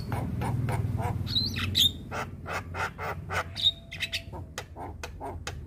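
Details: Javan myna of the white-eyed type singing as a tutor for young birds: sparse clicks and harsh chips, a couple of sharp high whistles and squeaky flourishes, over low rumbling background noise early on.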